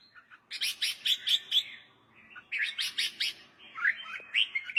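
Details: Red-whiskered bulbul song, offered for training young birds to sing along. Two bursts of bright, rapid chirpy notes, each a loud run of four or five accented phrases with warbled slurs between, separated by a short quiet gap.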